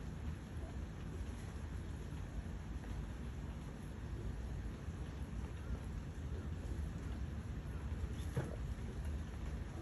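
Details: Steady wind buffeting and low rumble fill the air, with no animal voice.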